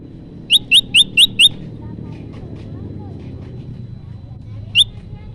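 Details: Olive-backed tailorbird lure song for bird trapping: five quick rising chips in a tight burst, then a stretch of human speech and passing traffic, with one more lone chip near the end.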